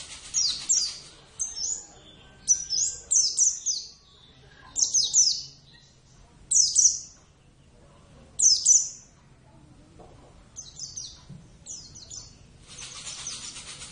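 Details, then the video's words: Kept Oriental white-eye of the Javan form, Zosterops palpebrosus javanus, calling vigorously: clusters of thin, piercing, descending chirps, often doubled or tripled, in bursts across fourteen seconds, with faint background noise. "plecit gacor"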